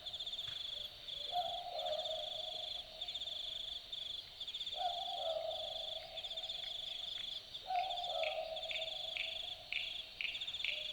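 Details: At night in the bush of Dharug National Park, New South Wales, an Australian (southern) boobook gives low, hooting two-part 'boo-book' calls about every three seconds beneath a loud, high, pulsing chorus of night insects.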